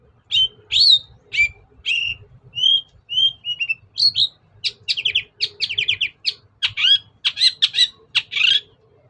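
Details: Long-tailed shrike singing loudly, used as a lure for shrikes that are reluctant to sing: clear whistled notes and slurs at first, then a quickening series of dry, clicking trills and harsh buzzy phrases, a steady low hum behind.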